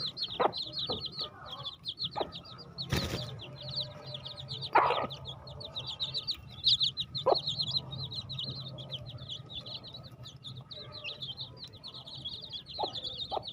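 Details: Baby chicks peep continuously in quick, high chirps, with occasional lower calls, a loud bump near three seconds and a soft low rumble underneath.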